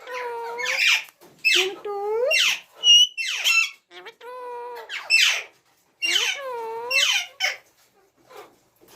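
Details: Ringneck parrot delivering a string of curved, speech-like tonal phrases and scratchy high squawks in quick succession, then falling quiet for the final seconds.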